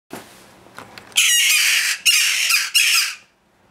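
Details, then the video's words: Newly acquired young jackdaws kept in a house, described as very hungry, give three loud, harsh, rasping squawks in quick succession, each about a second long, after faint rustling and low background noise. "My New Jackdaw babies"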